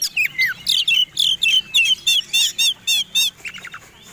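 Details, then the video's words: Fighting song of a White-rumped shama, used as a lure to make other birds sing: quick series of loud whistled and rattling notes, about three to four per second, ending in softer twitters. "Suara Kombinasi Kacer Tarung Super Gacor || Pancingan Super Duper Ampuh 100% Jamin Nyaut"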